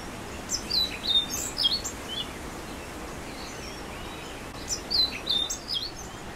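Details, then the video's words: An Orange-billed Nightingale-Thrush sings two short, high, squeaky warbled phrases about four seconds apart, over a steady background hiss. "Orange billed Nightingale Thrush Singing"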